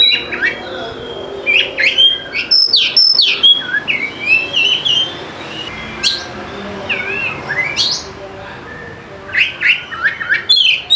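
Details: Varied, energetic song of an Oriental magpie-robin (kacer), meant as a lure for lazy singers: rapid chirps, upward sweeps and clear whistles tumbling in dense bursts, a quieter stretch in the middle before lively phrases return.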